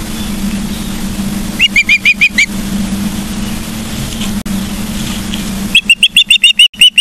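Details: Osprey on a Charlo, Montana nest camera, 15 September 2023 at 12:55: a steady low hum with two short runs of high, sharp chirps, one near the start and a longer one at the end.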